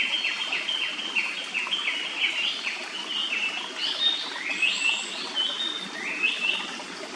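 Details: Japanese paradise flycatcher singing in a quiet forest beside a clear stream, near its nest: a run of quick slurred whistled notes, each rising then falling, repeated steadily, then higher whistled phrases, over a soft background hiss.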